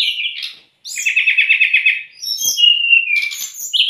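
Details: Brown-chested jungle flycatcher lure song for raw or stressed captive birds: opening whistle, a short pause, then a fast buzzy trill for about a second, ending in a long clear whistle that slides downward.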